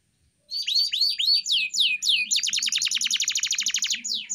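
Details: Pet canary training song: a series of looping rising whistled notes, followed by a rapid run of steep descending chips repeated many times per second.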